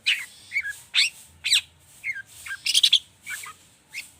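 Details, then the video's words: Long-tailed shrike with a rich song used to prompt other birds: slurred whistles and scratchy notes, then a rapid cluster of high twittering in the middle, with a soft hiss in the background. "Pancingan cendet emosi, full isian mewah‼️ bikin burung anda cepat gacor‼️"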